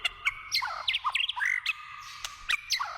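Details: Wild white-rumped shama delivering a rich, fast song of varied whistled notes, quick upward and downward slurs and sharp chips in close succession, with a faint steady hum beneath.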